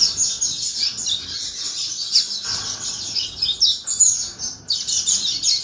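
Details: Sustained canary song: a long, rolling stream of rapid high-pitched twitters and trills with barely any breaks.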